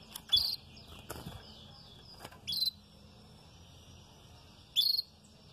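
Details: Red frosted canary at the start of its feather moult giving short, bright, high chirps spaced a couple of seconds apart, separated by quiet gaps and soft clicks.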